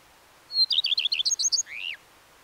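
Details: Common redstart song: a thin high opening note, then a quick run of repeated sharp chirps, ending in a down-slurred rasping flourish.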